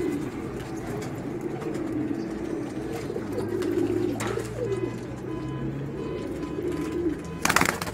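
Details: Racing pigeons shown with children, giving a continuous low bubbling coo chorus; a faint low hum runs underneath and a loud rustling burst comes near the end.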